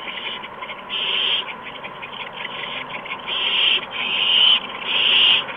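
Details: Owlets being fed mice and a gopher by adult owls on an evening in March 2015; a run of rough, hissing screeches, some short and faint, others longer and louder, coming close together.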